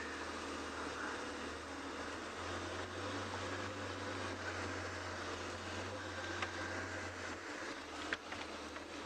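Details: Low vehicle engine drone throughout, with a few faint clicks and no animal calls.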